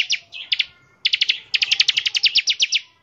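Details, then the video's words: Ngebren-style song of a bar-winged prinia, a lure for prinias: a few hesitant chirps, then a fast stuttering run of high, sharp notes that quickly speeds up. "ciblek gacor, nembak NGEBREN untuk pancingan ciblek agar cepat bunyi"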